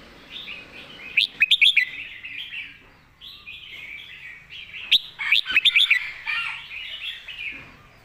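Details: Red-whiskered bulbul master song from a caged bird: two bursts, each a tight run of about five crisp, rising whistled notes trailing into softer warbling, over steady background twittering.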